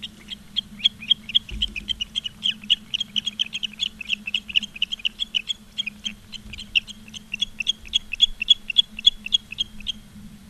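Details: Osprey at a nest in Charlo, Montana, mid-August afternoon: long series of high, shrill piping whistles, several per second, continuing for ten seconds over a constant low electrical hum.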